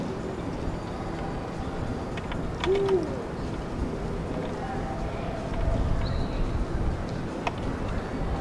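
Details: One low, arched hoot from a Eurasian eagle-owl, recorded 16 February 2023, sounding about a third of the way in, surrounded by scattered clicks, brief noises and a steady background rumble.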